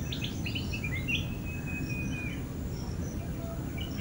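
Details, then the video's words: Calls of a flame-throated bulbul at End Point, Manipal. A few short sharp chirps lead into a long, level whistle lasting about a second, with steady low background noise throughout. "Flame-throated Bulbul calling"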